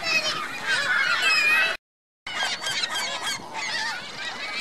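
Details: Noisy geese and goslings at Virginia Lake, Reno, 2 May 2013: overlapping honks and high chatter, broken by a sudden half-second of total silence before the calling resumes.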